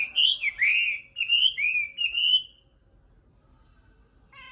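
A nightingale gives a quick run of clear, slurred whistles that swoop up and down for about two and a half seconds, then falls silent before one brief note.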